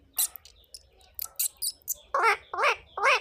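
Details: Indian ringneck parakeet makes rapid sharp squawks, then three loud, grating, repeated screeches at the end, about two per second.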